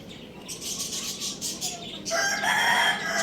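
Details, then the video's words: Rooster, described as a Lohmann Brown, at the Lalukhet bird market in the morning; after a second of high chattering background birds, a loud harmonic crow begins and holds steady to the end. "Rooster Crowing Sound Effect"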